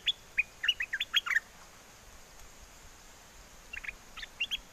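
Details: Wild-style mate call from a caged bulbul in Chana, Songkhla, southern Thailand, during strong southern winds: a fast string of short chirpy whistles, then softer scattered notes, over a steady background hiss.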